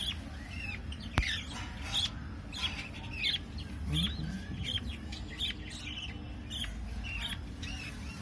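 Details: Young budgerigars, about 23 days after the first egg of the clutch hatched, give short, scratchy chirps over and over against a low rumbling background.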